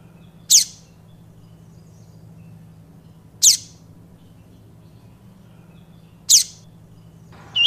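Double-collared Seedeater giving short, high, sharply down-slurred notes, one roughly every three seconds, over a faint low hum.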